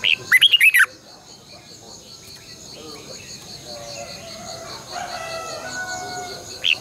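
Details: Red-whiskered bulbul decoy song for training caged birds, double-voice style: one loud rapid whistled burst at the start, then quiet with faint birds and a steady insect hum, and a brief note at the end.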